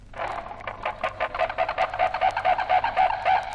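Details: A pair of Brolgas in Australia trumpeting together, from a 1968 record of Australian wildlife calls: rapid, harsh, rolling notes about four per second, steady and loud throughout.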